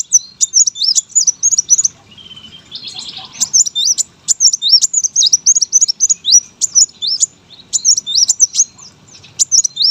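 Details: Competition brown-throated sunbird in full, persistent song used as a master recording. Strings of sharp, high, curling whistles and chips run almost continuously, with one lower buzzy trill in the middle.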